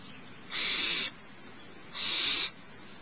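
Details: Barn owl chick at Starr Ranch, being fed by its mother around 10:30 am on 6 March 2011, makes two loud steam-like hissing screeches about a second and a half apart.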